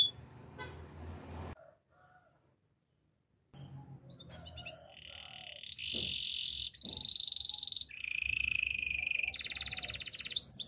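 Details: Canary singing for training canaries. The song starts faint and scratchy, pauses in near silence, then builds into loud sustained rolling trills and bright whistled phrases at varied pitches.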